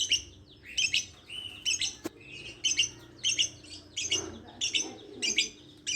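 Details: Lovebird giving a steady series of short, high, shrill chirps in quick bursts, repeated roughly twice a second throughout, with a single sharp click near the middle.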